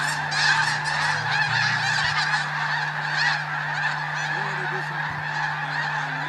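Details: Snow geese during a mass morning take-off at Bosque del Apache: clamorous chorus of nasal honks, several nearer birds calling distinctly, over a constant hum of the massed flock.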